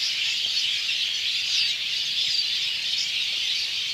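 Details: A flock of sparrows perched together on electric wires on an afternoon in rural Bangladesh, later flying off together. They chirp all at once, a dense, steady wash of overlapping high chirps with no pause.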